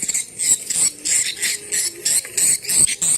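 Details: Swiftlet calls played through a portable speaker as a lure to check a site for swiftlets: high, buzzy twittering chirps in quick bursts, about three a second, with a faint hiss behind.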